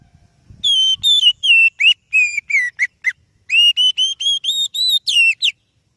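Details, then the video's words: Song of an oriental magpie-robin, played to lure and train other birds: a rich sequence of clear whistled notes, some level, some sliding down sharply. A pause comes before a run of gradually rising whistles. "Suara Burung Kacer Yang Sangat Indah,Cocok untuk Pancingan"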